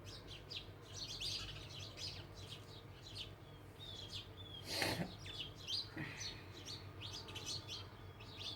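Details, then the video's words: House sparrows chirping continuously in a busy, overlapping chorus of short, high, sharp notes, with one brief loud broadband thump near the middle and a low background hum. "House sparrow((चिमणी पाखरं)).... chirping sound of birds.."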